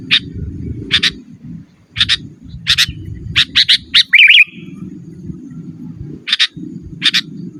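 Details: Sooty-headed bulbul song for luring wild birds and training caged birds: regularly spaced sharp chirps, a burst of several notes ending in a short bubbly warble, with steady low rumble beneath.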